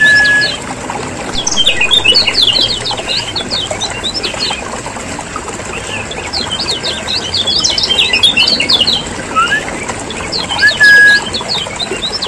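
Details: Lure recording of Lombok lemon-bellied white-eyes meant to make lazy caged birds sing: two long bursts of dense high twittering separated by a quieter gap, plus a few flat whistled notes at the start and end.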